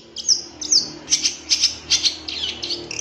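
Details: Long-tailed shrike in a master recording for training captive birds, said to be full of fill-in phrases. It produces quick high whistled slurs and paired chips, about two or three per second, over a steady low hum.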